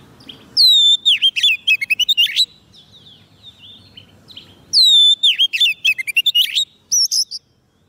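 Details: White-rumped shama song used to call wild birds: two loud bursts of varied whistles, with a descending slurred whistle followed by rapid chattering notes and sharp chips, separated by a quiet gap with faint notes.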